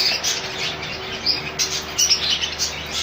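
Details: Colony of rainbow budgerigars kept together, giving a dense mass of overlapping high chirps and warbles with bursts of louder chatter, plus a steady low mechanical hum beneath.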